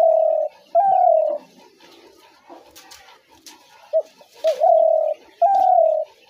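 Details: Spotted dove coos played to draw doves into traps: long drawn cooing notes at the start, a quiet stretch with faint knocks, then two short coos leading into two more long notes.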